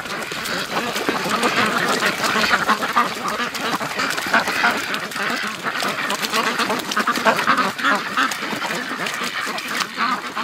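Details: A flock of domestic ducks quacking as the rest of the flock arrives at the lake in the morning; dense, overlapping harsh quacks in rapid, irregular succession throughout, forming a continuous noisy chorus.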